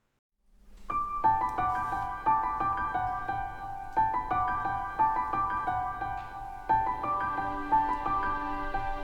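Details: Gentle piano music plays throughout, with sustained chords and a repeating melody and no animal calls.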